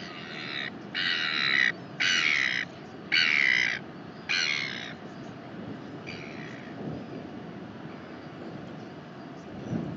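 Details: Northern royal albatross recorded in New Zealand on 19 January 2021, at the nest: five harsh, broadband braying calls, each about half a second long, follow one another over four seconds, then a fainter sixth call, over steady background rumble.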